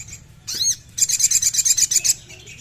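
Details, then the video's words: High sogon song meant to make a captive bird sing: a sharp arched chirp, then a quick rattling trill of about a dozen rapid high pulses. "SUARA YANG BIKIN SOGON GACOR"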